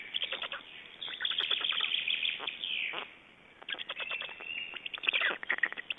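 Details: Black storks feeding and changing over at their Estonian nest, 29 May 2012; rough, fast clicking and rasping pulse series in two main bouts, the later one louder and more rattling.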